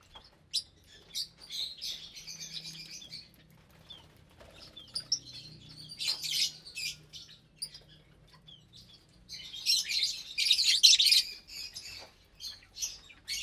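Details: Around 25 lovebirds of parblue, euwing, opaline, lutino and albino varieties sharing an aviary during feeding, January 2023; irregular shrill chirps and chatter, several loud harsh bursts, most intense toward the end.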